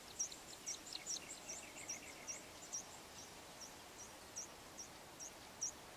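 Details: A male Yellow bishop's display call, ending in a display to a female: thin, very high, sharp notes repeated about twice a second, with fainter lower chatter early on over a steady background hiss.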